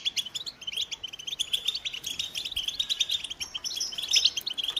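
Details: Softer, slightly more distant American goldfinch twittering: quick high chirps and short trilled phrases chattering steadily, with a brighter whistled flourish near the end.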